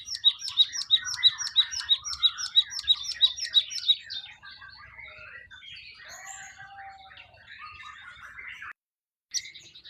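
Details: Wild Java sparrow song opening with a loud run of sharp, ringing notes at about three per second, then dropping into quiet, jumbled twittering and chatter, with a brief silence near the end.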